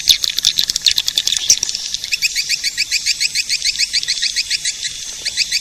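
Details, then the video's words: High twittering of edible-nest swiftlets used to attract the birds: a busy opening, then a fast regular train of short, sharp chirps. "Suara pemanggil burung walet"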